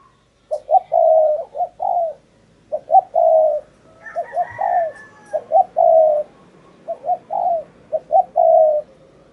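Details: Spotted dove serving as a lure for a wild bird, singing repeated coo phrases, each a stuttering pair of soft notes ending in a longer, slightly falling hoot, about four phrases in steady sequence over faint background hiss.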